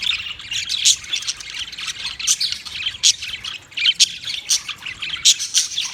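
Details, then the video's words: Budgerigars chattering in irregular bursts, with loud sharp squawks roughly every half second over softer twittering and raspy warbles. "Funny Budgies Sounds"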